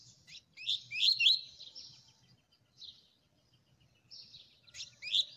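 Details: Coleiro (Double-collared Seedeater) singing fast: scattered high chirps and short bursts of quick, slurred notes, with a loud twittering phrase near the middle and another at the end, separated by near-silent gaps. A faint low hum sits underneath.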